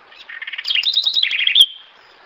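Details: House wren singing, known locally as corruíra, cambaxirra or garrinchinha: a rapid bubbling phrase about one and a half seconds long, starting with low chattering notes, rising into bright trilled runs, and ending in a sharp high note.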